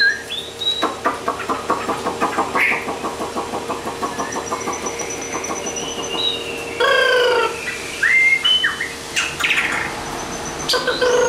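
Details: Hand-raised, tame captive Chinese hwamei giving a fighting song: loud, varied whistled phrases with sweeping rising and falling notes, a quick run of clipped ticking notes early on, and bright slurred whistles later, over a steady low hum.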